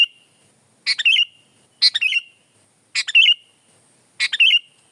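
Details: Kutilang, the sooty-headed bulbul, repeating a loud cheerful phrase four times at roughly one-second gaps: a quick jumble of liquid notes finishing in a fluty, slurred whistle. No other sounds.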